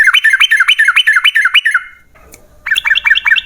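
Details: Yellow-vented bulbul in long rapid 'ropel' song, used as a lure to make other bulbuls sing: fast run of bubbling, up-and-down notes about four per second, a pause, then another quick run.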